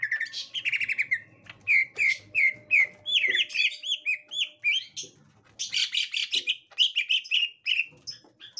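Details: Green leafbird, a captive bird encountering a young wild green leafbird: bright chirped notes near the upper range repeated in quick runs, then a faster jumble of sweeping, overlapping phrases, with a faint low hum beneath.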